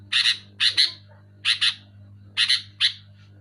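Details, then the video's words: Sooty-headed bulbul, called kutilang, giving loud buzzy double chirps in three clusters, each about a second apart, over a steady low-pitched hum. "Suara burung kutilang gacor keras jelas cocok untuk merangsang burung kutilang macet malas bunyi"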